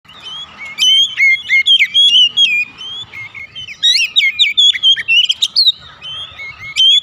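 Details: Oriental magpie-robin song used as a lure to make other birds sing: varied clear whistles, rising and falling slurs and sharp chips in quick bursts, with a faint steady tone beneath.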